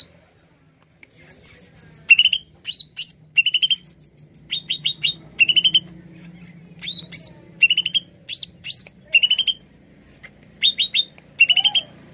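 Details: Lively greater green leafbird song used for luring birds: after a near-silent second, a long series of clear trilled note groups and sweeping whistles repeats every second or so, with a soft low hum beneath.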